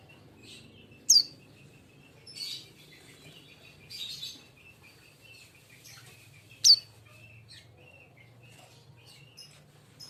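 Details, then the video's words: Untrained juvenile sunbird kept in a cage, giving two sharp, very high, descending chirps roughly five seconds apart, with buzzy softer notes and faint twittering in between over low hum. "SUARA BURUNG KING KONIN BAHAN TROTOLAN"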